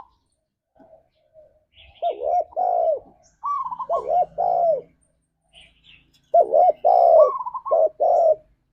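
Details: Spotted dove in the 'ngalas' forest style, played to get caged doves singing: repeated hollow coos mixed with quick higher rolling notes. A faint low hum and thin chirps sound in the background.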